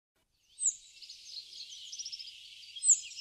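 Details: Rock bunting (Emberiza cia) at a feeder in Crémenes, León, Spain, in March 2019, gives two thin, very high 'tsi' notes about two seconds apart, with soft twittering between them.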